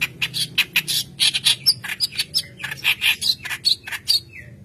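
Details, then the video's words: Lively white-browed kerak basi song meant to lure young birds into singing: dense, fast scratchy chatter of harsh bursts, a few sharp whistled notes and a closing falling whistle. "Keras Basi Alis Putih Gacor Pancingan Bahan"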